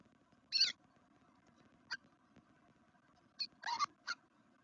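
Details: Black redstarts nesting in a garden at Veszprém, Hungary, on the second day: an opening harsh squeak, then a lone short chirp, and a closing cluster of three or four scratchy squeaks against a low humming background.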